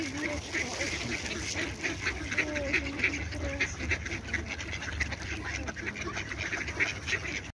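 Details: A crowd of ducks gives a busy, continuous stream of short overlapping quacks. A few lower drawn-out tones rise briefly above the noisy chatter.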